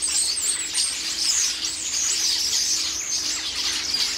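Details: Flock of common starlings descending on a garden pear tree with loud din and squabbling while pecking the pears, a scene repeated several times daily: dense, continuous high-pitched chatter of many overlapping squeaks, whistles and screeches.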